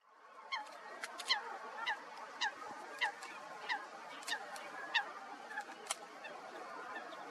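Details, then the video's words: Two late common cranes at their roost in the Wetterau, Hesse, Germany, on 26 March 2021, after the main migration north; distant, harmonic, downslurred calls repeated in quick irregular series. "Kraniche am Schlafplatz"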